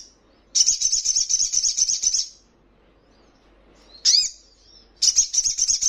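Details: Training recording of crimson sunbird song for caged birds to answer, with very high-pitched rapid trills lasting about one and a half seconds, a sharp downward-sweeping note, then another fast trill starting up.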